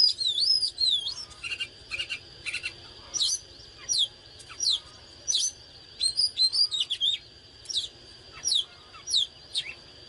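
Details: Fired-up oriental magpie-robin song given during display: looping, warbling whistles, then clear upward-sweeping notes and short trills repeated about every second, with a constant thin high whine behind.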